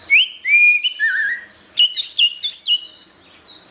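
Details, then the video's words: Orange-headed thrush song for songbird training: clear rising and level whistled notes, a lower slurred whistle, then a quick series of bright up-and-down phrases fading to a soft high note. "Ocehan Suara Burung Anis Merah"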